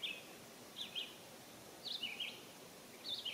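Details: An American robin visiting a birdbath to bathe on a warm summer day in 2022 sings short, clear whistled phrases that rise and fall, in quick bursts about once a second over a soft outdoor hiss.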